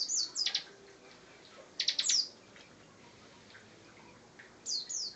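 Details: Bar-winged prinia (ciblek) singing in ngebren style, sparser here: high slurred notes and short bursts of sharp clicks at the start and middle, then a long quiet gap before two more high slurs.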